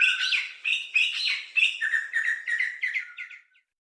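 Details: Sri Lanka Spurfowl, a ground-dwelling forest bird, gives its rollicking piping "ki chaiku" call: a run of shrill notes, about three per second, slowly falling in pitch and fading out.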